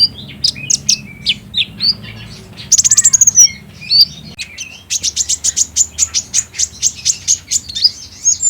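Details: Kolibri ninja green form, the olive-backed sunbird, singing in a recording meant to make other birds sing back: varied high chips and slurs, a fast buzzy trill, then a long evenly spaced run of sharp high notes.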